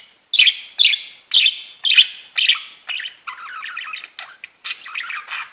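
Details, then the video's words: A budgerigar gives five loud, evenly spaced sharp chirps, then slips into a soft, fast, scratchy warble mixed with squeaks. "Веселое пение волнистых попугайчиков / Funny singing of wavy parrots"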